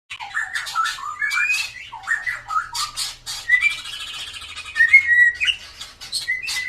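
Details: White-rumped shama with a drooping tail, singing persistently as a lure to prompt birds that rarely sing: varied phrases of slurred whistles and harsh buzzy notes, with a bright rising whistle near the end, in a quiet room.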